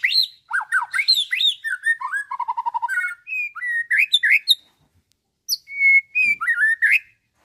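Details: Nine-month-old caged white-rumped shama from Bandung, Indonesia, trained on songs of lovebird, canary and other species, delivering varied mimicked phrases: quick chirps, a fast trill of repeated low notes, slurred whistles, a pause, then rising whistled phrases.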